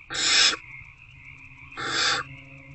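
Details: Hungry owlets in a nest box, 26 February 2024 in the evening, let out two drawn-out, hoarse hisses about one and a half seconds apart while trying to eat a rodent, over a faint electrical-like hum.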